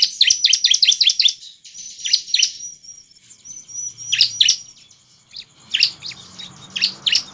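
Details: Energetic bar-winged prinia song used as a lure to set other prinias singing: rapid bursts of sharp, high chirps and thin whistled notes in clusters, pausing briefly between runs, with faint hiss toward the end.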